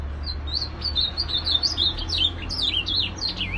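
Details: Ultramarine grosbeak in continuous song: a lively stream of sweet whistled notes, each sliding up or down, packed closely together and running throughout, with a faint low hum beneath.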